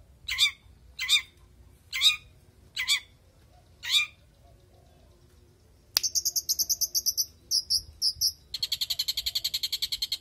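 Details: Long-tailed shrike (cendet), a prospective contest bird, singing to encourage silent shrikes to sing: five sharp descending whistled notes about a second apart, then rapid buzzy chattering trills in bursts, ending in a long fast rattle.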